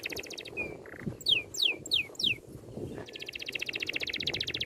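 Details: Bird song for training caged birds, tight rolling style: a short high trill, a flat whistle and buzzy note, four loud descending sweeps, then a long rapid rattling trill, with background noise throughout.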